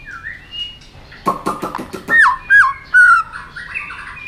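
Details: White-rumped shama stimulated into an aggressive fight-singing mood: a swooping whistle, a burst of dry clicking rattles, then loud down-slurred whistles and a sustained level whistled note.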